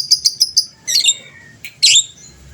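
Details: Lovebird of a fighter type, used to trigger rival birds; four quick sharp high ticks, then rasping chattered notes and a harsh squawk.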